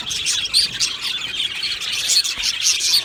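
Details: Aviary of Australian budgies chattering together, rapid overlapping high chirps with brief clear whistled notes standing out from the steady chorus.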